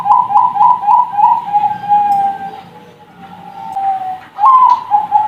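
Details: Young Bangkok-type zebra doves from a bird farm deliver soft pulsing coos that merge into a long level whistled tone, then one short rising note and a few more rapid coos.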